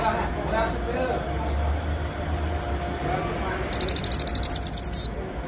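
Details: Rapid series of bright, high chirps from a grey-headed goldfinch, a quick 'chir chir' run of about a dozen notes near the end after several seconds of low background noise.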